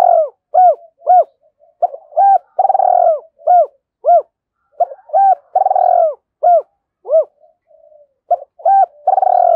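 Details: Decoy spotted dove cooing early in the morning to call in wild doves, in the Vietnamese 'giọng thổ' voice style: loud, mellow arched coos in repeated phrases, with some longer drawn-out notes between short pauses, and no other sounds.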